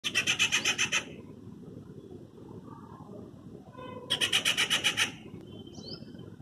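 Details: Afternoon treepie, long stiff-tailed with rusty-brown upperparts and sooty black head, giving loud metallic calls while changing branches before flying to a nearby tree: two bursts of harsh, grating rattles with faint thin whistles between, over a low rumble.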